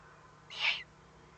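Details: A single harsh, breathy hiss about a third of a second long from threatened owlets warning, recorded at 20:42 on 22 May 2015 against faint background hum.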